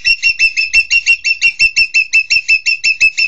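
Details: Green magpie, known locally as engkek keling, giving a fast, even run of bright, ringing notes, about three per second, each with a clear high overtone, steady and loud throughout.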